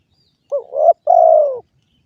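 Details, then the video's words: A single spotted dove phrase: a wavering rising note, then a long, mellow coo that slides gently downward, with no other sounds. "suara burung derkuku"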